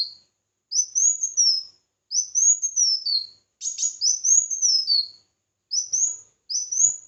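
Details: Competitive song of a red-whiskered bulbul: a steady string of bright whistled phrases, each climbing and then dipping, delivered roughly every second with tiny pauses.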